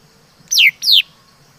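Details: Chim mi đất laughingthrush giving two clear, loud whistled notes in quick succession, each falling sharply from a high start to a lower end, with faint low background hum.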